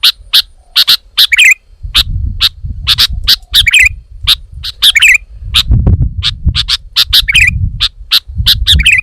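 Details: Lively sooty-headed bulbul song. Crisp, snapping chirps come in quick pairs, broken by short, gurgling, falling warbles. A low background hum swells and fades throughout.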